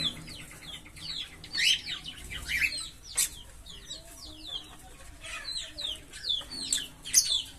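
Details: Green Fischer's lovebird pair, captive, singing a busy stream of thin twittering chirps and short rising-falling notes, with occasional louder sharp squeaks.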